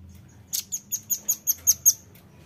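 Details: Sharp, piercing chips from a velvet-fronted nuthatch, eight in a row at a brisk even pace, recorded as a lure sound for drawing in birds; faint low hum beneath.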